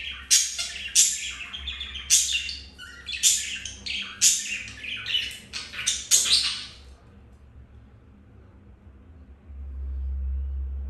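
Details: Caged budgerigars during mating, one male with a female after rejection by a white-grey hen; rapid bursts of harsh high chirps for about seven seconds, then quiet with a low hum.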